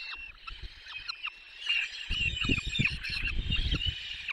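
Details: Peregrine falcon chicks being fed at a nest in the Barycz Valley, Poland, on 6 May 2021: shrill, harmonic wailing calls, repeated and overlapping, over low rumbling and knocking noise in the second half.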